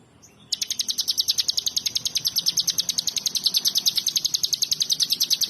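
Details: Bar-winged prinia (ciblek) singing in the gacoor style: a sudden, unbroken run of sharp, high, ringing chip notes at about eight per second, lasting five seconds, over faint low background hum.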